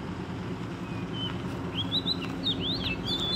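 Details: Wild Oriental magpie-robin singing vigorously, caught during trapping: a run of clear whistled notes, slurred up and down, over steady low rumbling background noise.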